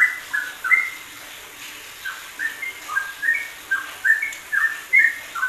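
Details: Yellow-vented bulbul singing in ropelan style, WK combination for training other songbirds: bright whistled notes, mostly short downward slurs, come in clusters with pauses between, against a steady hiss.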